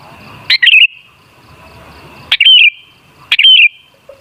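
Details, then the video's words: Kutilang, the sooty-headed bulbul, singing to lure other bulbuls into song: three short liquid phrases, each a sharp note followed by a rolling warble, separated by pauses of about one to two seconds. "Suara Burung Kutilang Sangat Ampuh Untuk Pancingan Jadikan Kutilang Ngamuk Gacor"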